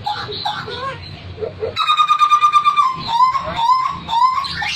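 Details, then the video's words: Hooded butcherbird from Papua singing vigorously, said to sing until coughing: mellow, clear whistled notes near the low-middle range, first in a loose jumble, then a long steady whistle with bright overtones and rising slurred phrases. "Jagal yaso papua gacor sampai batuk"!"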